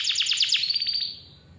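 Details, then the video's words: Short burst of canary song, a clear lure for quiet young birds: about five quick descending chirps followed by a thin steady whistle that fades out. "KICAU KENARI GACOR SUARA JERNIH COCOK BUAT PANCINGAN || PANCINGAN KENARI"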